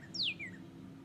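A northern cardinal gives one clear, loud whistled note that slides steeply down in pitch, followed by a softer trailing slur over a faint low hum.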